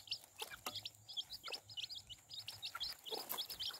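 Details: Several chicks with their mother hen chirp constantly in sharp, thin, falling peeps, packed closely together with small pauses. A few soft clicks and a low background hum are also heard.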